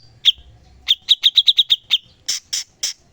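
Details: For songbird training, a cucak cungkok sings one sharp chip, then a quick series of seven even, bright notes, ending with three coarse, noisy calls.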